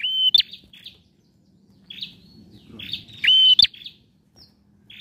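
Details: Singing male bar-winged prinia, meant to stir a silent bird into song: a few high, strident whistled notes with clicky ends and softer buzzy chirps, spaced irregularly over a faint low background hum.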